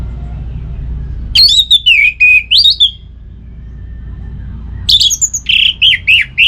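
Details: {'caption': 'Varied, fluent orange-headed thrush song: long phrases of looping slurred whistles and chattering notes in two bouts split by a quiet gap, with low background hum. Played to set kept birds singing.'}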